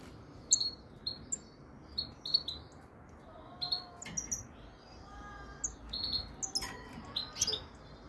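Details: European goldfinch (frigoris subspecies) twittering with sharp high chirps. Lower whistled notes from another bird are mixed in.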